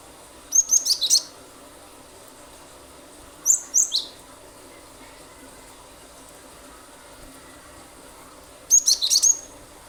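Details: Glatik batu, the cinereous tit, singing hard as a lure for other birds: three separate bursts of rapid, very high staccato notes, the first and last dense and stuttering, a shorter pair in between.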